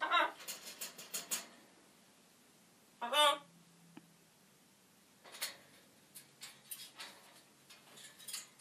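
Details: A pet macaw talks, reportedly saying some unpleasant words, in harsh, raspy bursts of speech-like syllables: a run at the start, one loud squawky phrase midway, then softer mutterings to the end.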